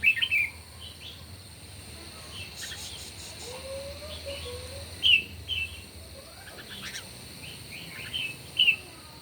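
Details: Red-whiskered bulbuls in a morning singing contest; short clear whistled notes near the top of the range come in small bursts a few seconds apart, with a soft low slurred note between them and steady background hiss.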